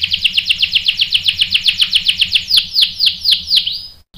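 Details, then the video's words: Canary song triggered by a female bait: a fast series of loud descending notes, roughly four per second, slowing into longer sweeping downslurs before a sudden stop. "PANCINGAN KENARI GACOR bikin EMOSI jadi NYAUT GACOR NGEROL | CANARY SINGING"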